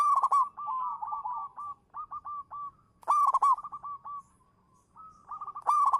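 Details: Local-strain zebra dove used as a champion lure bird, singing from its perch. Rolling, trilled coo phrases recur, broken by two loud, harsh, rich bursts with a pause between.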